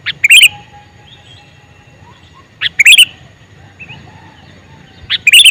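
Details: Calling male sooty-headed bulbul gives three loud, quick phrases. Each opens with a sharp rising note, then a bubbly cluster of chirps, repeated roughly every two and a half seconds against near silence.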